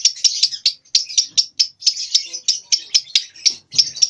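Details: Two-month-old young lovebird practising its ngekek in nyeklek style, bursts still short; high, dry chattering chirps repeated in quick, slightly uneven pulses about five times a second, with faint background noise.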